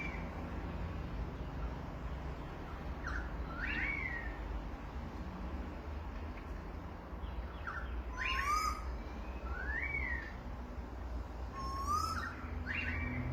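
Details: Australian birds chirp in scattered bursts: quick sweeping whistled notes, some rising and some falling, with a few higher twittery trills, set against steady low background rumble.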